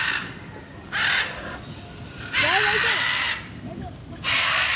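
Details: Macaws, recorded 6 June 2022, give three harsh, raspy squawks, each under a second, spaced about a second and a half apart, over a steady background hiss.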